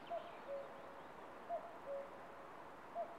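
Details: Common cuckoo on a branch in Estonia, recorded by a camera trap, giving its falling two-note cu-coo call twice, with the start of a third, about every one and a half seconds against a soft, steady hiss.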